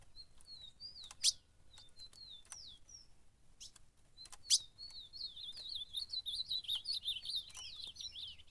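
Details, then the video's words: Fighting ultramarine grosbeak at a campeada gives a few short separated whistles broken by loud clicks, then launches into a long, rapid, tumbling warble of looping notes that runs to the end. "Azulão na Campeada brigando"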